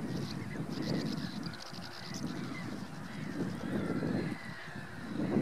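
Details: Common pochard (Aythya ferina): a rough, low honking chatter, with thin higher notes from other birds above it and constant background wind noise throughout.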